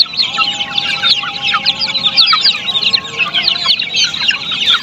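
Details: Australorp chicks of a poultry farm calling all at once, short sharp high-pitched cheeps repeated rapidly and overlapping in an unbroken mass.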